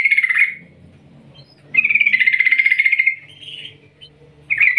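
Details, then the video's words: Yellow-vented bulbul giving a ngerol ngetir gacor lure call to provoke other bulbuls to sing: a short bubbly burst, a pause, then a long steady rolling trill of rapid pulses, and another burst at the end. "Panggilan trucukan gacor Ngerol Ngetir panjang - Ampuh untuk pancingan trucukan agar bunyi gacor"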